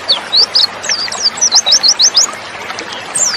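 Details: A female white-eye, whose sound is used to provoke males into singing, gives a fast run of high, thin slurred notes, about four or five a second, then pauses before another sweeping note; faint background hiss.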